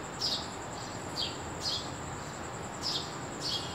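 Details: In the early morning, a sparrow gives five short, bright chirps at irregular intervals over a steady high insect drone and soft background hiss.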